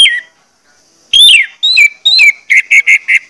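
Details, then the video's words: Orange-headed thrush song meant to stimulate birds into singing: a falling whistle, a pause, then loud slurred descending whistles followed by four short, evenly spaced whistled notes. "pancingan anis merah ini bakalan bikin gacor jika di putarkan"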